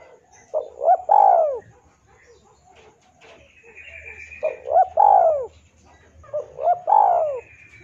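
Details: Spotted dove song, for tutoring and prompting caged birds to sing: three phrases about two seconds apart, each a pair of short rising coos then a long, falling coo, with a high twittering bird in between.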